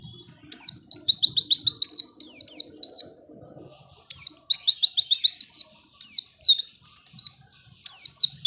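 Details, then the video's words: Fast, shrill white-eye song used to stimulate idle white-eyes; strings of rapid descending whistle notes in bursts of about one and a half seconds, with faint background murmuring between them. "Pancingan Pleci Males Bunyi Agar Cepat Gacor"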